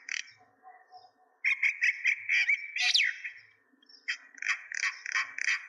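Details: Myna chatter recorded at Kulaura in Sylhet, Bangladesh: quiet scattered notes, then loud bursts of harsh, buzzy chirps with one steep whistled sweep, a short pause, and another run of rapid raspy calls.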